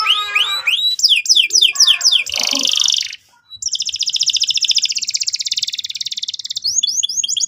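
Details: Canary song used to provoke another bird: fast rising and falling whistled sweeps, a brief harsh burst, a short pause, then a long rapid rolling trill and closing sweeps.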